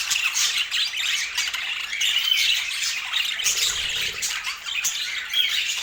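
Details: Rainbow budgies feeding on sweet apple produce constant soft squawking and high warbled chirps, with a faint low rumble just before the four-second point.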